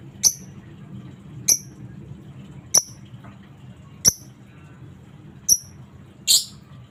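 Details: Lovebird calls used to stimulate other lovebirds to chatter: six sharp, high, clipped chirps, each about a second and a half apart, over a steady low hum.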